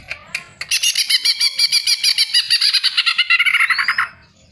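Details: Greater green leafbird song played as a lure so other birds join in; a continuous rapid, rich warbling chatter of many repeated notes, ending in a rising whistle.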